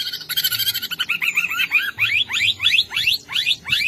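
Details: Greater green leafbird singing a fast rasping trill, then a run of sharp upward-slurred whistled notes repeated about three times a second.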